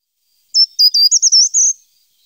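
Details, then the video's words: Short-toed treecreeper song: one brief, very high phrase of about six thin notes over roughly a second, each a quick wavering squeak and the series climbing slightly in pitch toward the end; clean, quiet background. "Canto del Agateador común (Certhia brachydactyla)"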